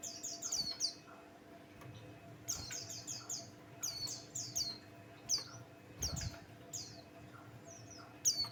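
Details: White-eye of the form called pleci Buxtoni, its song used as a lure to get other birds singing: bursts of high, thin, downslurred chirps in quick clusters, separated by short pauses, over a faint steady low hum.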